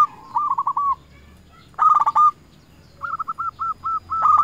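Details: Local zebra dove used for luring, calling its rivals. Short phrases of rolling coos are separated by pauses: a soft run, a loud clipped burst, then a clear run of evenly spaced hooked notes.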